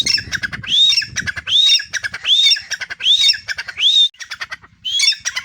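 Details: Captive grey francolins, one in a cage and another sitting on its keeper's arm, answering a whistle with shrill, grating notes that sweep upward, about one each second, separated by brief pauses.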